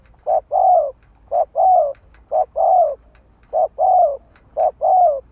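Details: Spotted dove decoy calling to lure wild birds, five rhythmic short-then-long coos, the longer note curving downward, repeated just under once a second.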